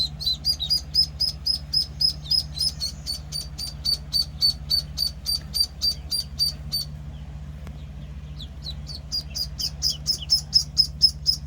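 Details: Shrill, evenly spaced peeping from one-week-old Penciled Call ducklings, fast and insistent, breaks off briefly midway and then starts again just as quickly, with a low mechanical hum throughout.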